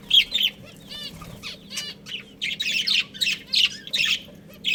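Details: Budgerigar breeding pair calling: buzzy ringing notes followed by a series of short scratchy chirps and squawks, about two per second.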